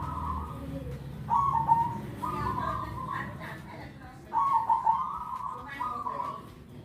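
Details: Zebra dove calling two bubbly coo phrases, each opening with quick stuttered notes and running into a sustained rolling coo, with faint voices and low rumble in the background.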